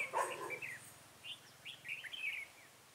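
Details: Caged decoy red-whiskered bulbul used for trapping wild bulbuls, recorded 23 October 2017. After a brief noisy burst, quick slurred whistled notes follow in short rising and falling phrases.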